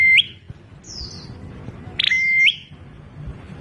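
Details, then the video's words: Prenjak klawu, the bar-winged prinia, with a strange sound: an upward-flicking whistle at the start, then a full call of a brief harsh burst, held flat whistle and rising end, plus a few faint high chirps. "Prenjak Klawu Bersuara Aneh..?"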